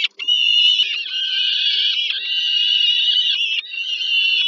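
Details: Loud, almost unbroken wailing from peregrine falcon chicks begging as the mother feeds them at evening, Termika Żerań nest, Warsaw, Poland, July 2022; a strained, wavering scream held for seconds with brief dips.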